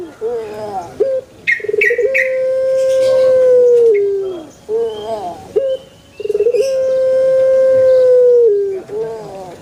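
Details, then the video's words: Puter pelung calling in a banana garden: long drawn-out, steady mid-pitched notes held for two to three seconds and then dropping, with short broken notes between them and a faint higher chirp from another bird. "SUARA ASLI PUTER PELUNG Di KEBUN PISANG"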